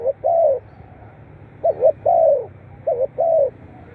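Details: Spotted dove calling, used to prompt captive birds to call sooner. Three clear phrases of two quick wavering coos and a longer, gently descending coo, over faint steady hiss.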